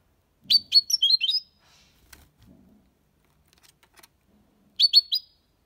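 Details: Málaga copy song of a European goldfinch, sung clean to stimulate young birds learning to sing: a second-long run of high, quick, tinkling twittered notes, a quiet gap with faint low knocks, then a shorter twitter burst.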